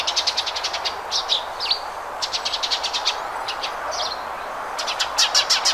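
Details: House sparrow song made of quick runs of high, clipped chirps mixed with a few downslurred notes, delivered in irregular bursts about three per second, with constant background hum throughout.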